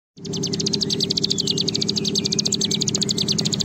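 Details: Bar-winged prinia (ciblek gunung) in a long drilling trill ('ngebren panjang'): a fast, even, high pulsed trill of about eight notes per second, sustained throughout, over a steady low hum.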